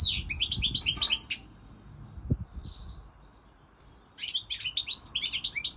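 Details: Singing European goldfinch: bright twittering phrase with sliding chirps, a quiet spell with a faint thin whistle and a soft knock, then lively twittering again.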